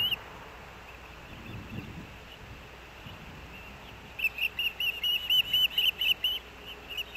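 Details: Osprey nest at Hellgate Canyon, Missoula, Montana, 3 August 2024, male bringing fish, nest cam: a quiet start with faint background noise, then a clear series of about a dozen whistled chirps.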